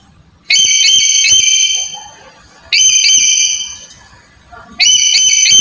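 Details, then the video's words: Loud, shrill black-capped lory whistles for coaxing a silent bird to call; three sustained ringing notes roughly every two seconds, each fading slowly, with low background rumble between. "Suara Pendobrak Burung Nuri Malas Bunyi"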